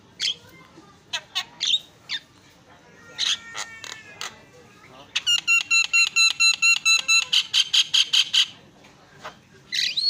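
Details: Black-winged myna song, scattered sharp high chips and buzzy notes, then a fast run of evenly repeated ringing notes about eight per second for three seconds, ending with a rising whistle.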